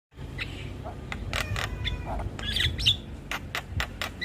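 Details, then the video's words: Javan myna song, played as a lure to get silent, stressed mynas singing: harsh broadband chattering bursts mixed with short whistled notes over a steady low hum. "PAncingan Burung Jalak Macet Bunyi / Jalak Stres / Jalak Pikatan"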